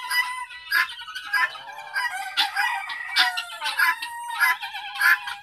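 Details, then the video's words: Domestic guinea fowl kept as a flock, ten in an enclosure with more outside a bedroom window as a watch alarm. Harsh, rasping, overlapping calls repeat almost continuously, several birds chattering at once in rapid, uneven bursts. "My Guinea fowls"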